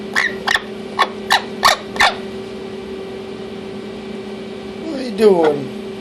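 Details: Orange-winged amazon parrot, a male, playing in and around its nesting box indoors; a series of six short sharp clicks or squawks in the first two seconds, then a descending harmonic squawk near the end over a steady background hum.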